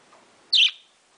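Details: Young pet parakeet chattering in the morning produces a short, high, slightly raspy tweet with a falling tail, set against faint room noise.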